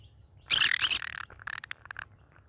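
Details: Pet green-cheeked conure of the yellow-sided and cinnamon colour types, giving two loud, harsh, broadband squawks back to back, followed by a scatter of softer chirps and clicks in a quiet room.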